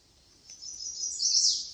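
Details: Chestnut-sided Warblers, one on each side of Laurel View Trail among mountain laurel at Ricketts Glen State Park, Pennsylvania, in June 2023, call back and forth; one sings a high, thin run of sweet notes swelling louder toward the end.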